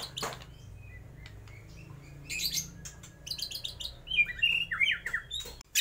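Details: White-rumped shama copying lovebird, kapas tembak and pijantung gunung: scattered clicks and a few high chips over a low hum, building to buzzy chatter and then a run of loud, slurred whistled notes near the end.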